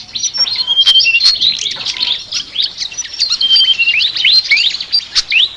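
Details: Flycatcher ngoceh song: a hurried jumble of thin, high chirps and sliding whistles, some notes flat and piercing, roughly four per second and irregularly spaced.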